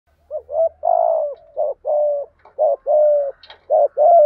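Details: Spotted doves, male and female, in the 'thúc gù' cooing style used to stir newly caught birds into calling: a run of about eight low, hollow coos, short notes alternating with longer drawn-out ones, in a quiet setting.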